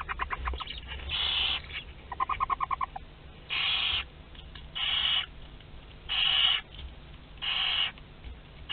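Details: Nest-box recording from Théding, 22 August 2021, as a second brood of Western barn owl chicks hatches: long rasping hisses roughly every second and a half, broken by bursts of rapid, evenly spaced clicking.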